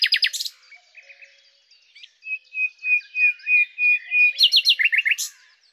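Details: Common nightingale phrase: sharp clipped opening notes, then a series of slow, pure drawn-out whistles swelling in loudness, ending in a quick run of chipping notes.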